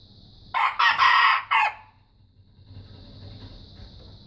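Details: Growing young red junglefowl tries out its crow: a short, husky phrase of three loud bursts, the middle one longest, then quiet with insects droning high in the background.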